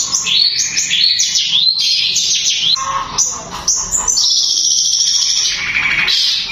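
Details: Long-tailed shrike song, delivered in fast, tightly packed bursts said to stir other shrikes. Varied high chattering phrases with rising and falling sweeps, brief buzzy notes, and a sustained high ringing passage near the end.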